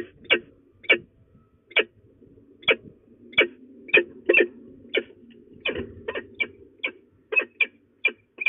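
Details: Female peregrine falcon making threat calls at De Mortel, Netherlands, 27 February 2024 at 12:02: sharp, raspy notes spaced unevenly at first, then quickening into closer runs toward the end, with faint low background rumble.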